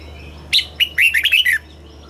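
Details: Red-whiskered bulbul, southern master-style song used to excite caged birds and tutor young ones: one rapid phrase of sharp, liquid, down-slurred notes, about seven in a second, with a faint constant hum behind.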